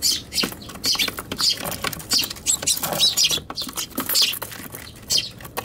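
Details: Eurasian tree sparrows fight inside a box on a veranda on 7 July 2021 (Tanabata), chattering in rapid, scratchy high chirps, several bursts each second, over light scuffling and patter.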